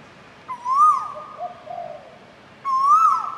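Asian koel giving two loud, clear, rising whistled notes about two seconds apart, against a quiet background.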